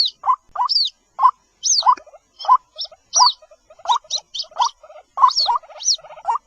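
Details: White-breasted waterhen call, played to lure the bird: irregular, harsh croaking notes near one pitch, mixed with higher, thinner downslurred squeaks, in uneven bursts roughly every half second with short gaps.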